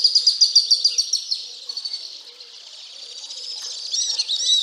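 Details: Alpine Swifts in Hérault, France, in July 2022: high shrill twittering trills, a loud rapid series at first, then fading into a distant continuous chatter before swelling again.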